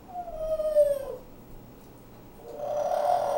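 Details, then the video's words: Pet African grey parrot, an older bird, singing and talking at home: a long clear whistled tone gliding slowly downward, a pause, then a second rising whistle, with light room noise. "African Grey, Conversation and Song"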